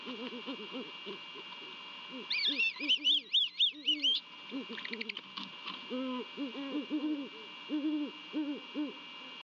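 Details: Great horned owl pair at their nest in Savannah just after midnight on Christmas Eve 2021: the male hoots, the female gives high wavering begging squeals, then both duet with deep, soft overlapping hoots before mating; faint steady whine behind.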